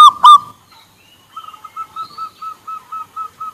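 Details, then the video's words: A local zebra dove gives two loud clipped notes, then a steady series of about nine soft, evenly spaced coos at a constant mid pitch. "perkutut lokal gacor suara komplit, besar kecil dan sedang"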